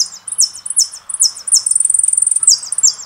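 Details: Jilguero finch song from a song CD: continuous high, clear notes sliding downward in quick succession, broken by a rapid buzzy trill of about a dozen notes, all very bright and loud.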